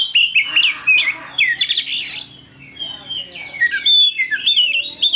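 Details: Oriental magpie-robin, caged, singing lure song: loud rich whistles, buzzy trills and sharp chips in quick changing phrases with a brief softer pause midway.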